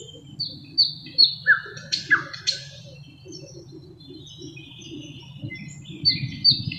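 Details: Part of a thrush nightingale's song (Luscinia luscinia), which imitates other birds: high slurred whistles, two broadband rasping bursts, a pause with faint twitters, then renewed high whistles over steady low background noise.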